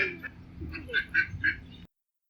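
A black duck gives three or four quick, nasal quacking notes about a quarter-second apart, then falls silent.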